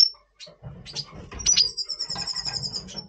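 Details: Red siskin of the Double Pastell colour form singing in breeding mood before breeding, November 2023: sharp high chirps, then a long, bright, rattling trill held for over a second, with low background rumble.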